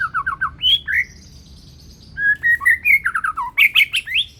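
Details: Young Medan-type white-rumped shama, banded and still in juvenile plumage, singing energetically with a loud, carrying voice: quick runs of clear whistled notes, a pause, then rising and falling slurred phrases ending in bright chatter over low room hum.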